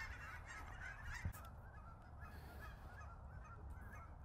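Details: Wave after wave of cackling geese coming in for a landing, Billy Frank Nisqually National Wildlife Refuge, February 2023, Sony RX10 IV: a chorus of repeated short, high-pitched honks, one sharp click partway through, strong low background roar.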